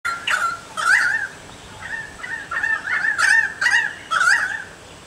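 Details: Currawong (recorder fairly sure) singing out to others nearby from a banksia tree in a front yard in Chelsea, Victoria, Australia: loud, ringing, gurgling whistles around one to two kilohertz in irregular bursts, with fluty warbles, over quiet background.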